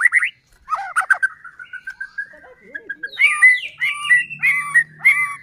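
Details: White-rumped shama song used as a lure to provoke other murai batu into singing: sharp whistled notes, then a soft falling trill of thin notes, then clear paired whistles repeated roughly every half second over a faint hum.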